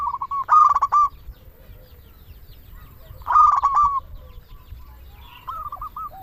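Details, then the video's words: Local zebra dove singing to lure and stimulate silent doves: two loud bursts of rapid stuttering coos about three seconds apart, each trailed by softer rolling notes, with a quieter coo phrase at the end. "Perkutut lokal gacor suara paling ampuh untuk pancingan burung perkutut agar bunyi"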